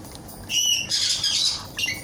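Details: A galah cockatoo of unknown sex, recently taken into care, gives harsh, screechy squawks, a grating burst followed by a shorter rasp, while a person coaxes it to say bye-bye.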